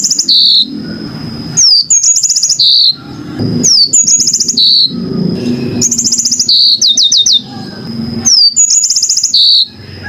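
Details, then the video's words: Yellow-fronted canary singing clearly in master-song style: phrases of fast high ticking trills, a sliding whistle and a short buzzy note, repeated about every two to three seconds, with a constant piercing tone and faint low rumble behind. "kicau burung MOZAMBIK super jernih"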